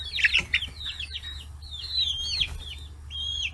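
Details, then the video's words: Free-range chicks aged 40 days crowd fish heads in Kitahiroshima, Hiroshima, Japan; a couple of harsher low chirps open, then drawn-out arching peeps, widely spaced, over a steady low hum. "生後40日 魚頭に群がる中雛！chicks chirping sounds"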